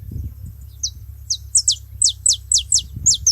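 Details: Saffron finches gathered at a feeding site making noise: a rapid series of bright, high notes, each sliding sharply downward, repeated about four per second, with a low background hum.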